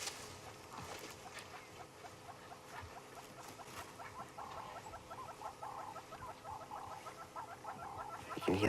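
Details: A hornbill gives a long series of hollow, evenly spaced clucking notes, steady in pitch, at a watering hole at sunset in Djuma Private Game Reserve, Sabi Sand, South Africa; knocks from two young male elephants fighting with tusks, faint voices.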